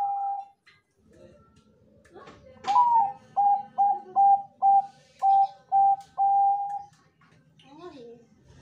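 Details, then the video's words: Bangkok-type zebra dove with a big voice, used as a lure so other doves answer: a series of about eight short, soft cooing notes repeated roughly twice a second, the first one slightly wavering, followed by a brief fainter call. "perkutut Bangkok suara emas//ampuh untuk pancingan//suara besar"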